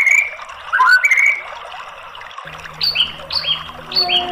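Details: White-rumped shama singing as a lure to get a quiet bird to sing: a few fluting slurred whistles, then short high chirped notes over a steady low humming tone.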